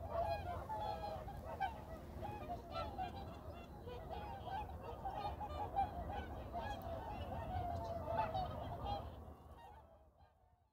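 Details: Whooper swans at Baedalji reservoir: a flock gives loud, nasal bugling honks that overlap continuously, almost two calls a second, over a low rumble of wind or water.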